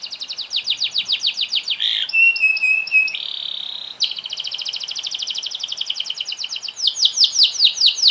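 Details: Long singing canary, played to make other canaries sing along: quick buzzy trill, a harsh burst, ringing steady tones, then dense rattling trills ending in sweeping repeated notes.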